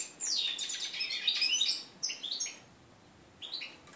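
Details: Hybrid red-breasted flycatcher x canary mule of 2013, first post-moult song on 11 January 2014: a dense high twittering burst, then scattered thin whistled notes and a brief closing chirp.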